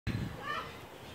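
A Moluccan cockatoo gives one brief, throaty call: a rough low burst that turns into a short, voice-like tonal note.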